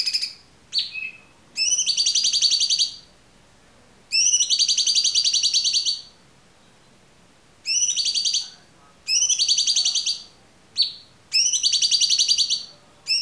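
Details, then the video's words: Cucak cungkok song, a clear-voiced training recording for songbirds such as murai batu, cendet, kacer and konin. Bright buzzy harmonic trills in bursts of one to two seconds, with short sharp chips between phrases, against a quiet background. "MASTERAN AMPUH CUCAK CUNGKOK suara jernih"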